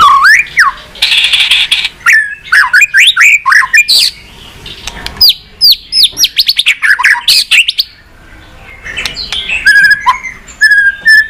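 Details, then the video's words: Many-voiced White-rumped shama song used to stimulate and train birds, with long bursts of loud, rapid whistles, rising and falling slurs, and harsh chatters. A quieter gap is followed by repeated clear whistled notes. "Chòe Lửa Hót Nhiều Giọng, Luyện Chòe Lửa Hót Căng"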